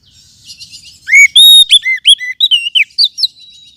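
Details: Forest oriental magpie-robin lure sound for tutoring caged birds: a soft twittering start, then a rapid burst of loud, varied whistled notes, some arching, some sharply falling, in quick succession.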